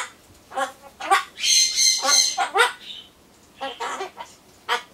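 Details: Captive Solomons corella talking to itself before its pumpkin arrives, with rapid harsh squawky syllables, a longer raspy hiss with a whistled edge, and scattered short chattered notes.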